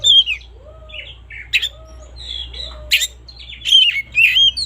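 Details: Morning song of an oriental magpie-robin, used as a lure: loud, varied whistled phrases, with a softer, lower arched note repeated three times in the background and a faint hum.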